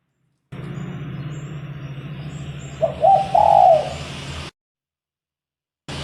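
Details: Spotted dove kept as a lure bird for trapping wild doves gives one short burst of cooing, a stuttered lead-in followed by a longer mellow coo, over a steady low hum.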